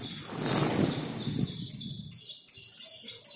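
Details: Backyard flock of over 100 free Saffron finches being fed: a rushing flurry, like wings, fades as a run of high, evenly spaced, descending chirps continues.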